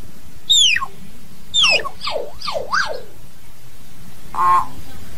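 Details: A hill myna's flock-calling song: high whistles sliding downward, then a quick zigzag of falling and rising whistled notes, and a short nasal harmonic tone to close, over low background noise.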